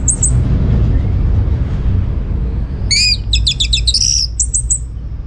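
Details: Lively orange-headed thrush song from North Bali, played to make other birds respond: a rapid cluster of high, clear whistled notes at about three seconds, then a few more bright notes, over constant low rumbling background noise.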